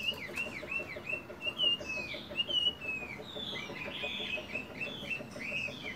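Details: Moulting caged Chinese hwamei practising its voice in the morning. Slurred, down-curving whistles and a few upward-swept notes come through at moderate volume over a steady background hiss and low rumble.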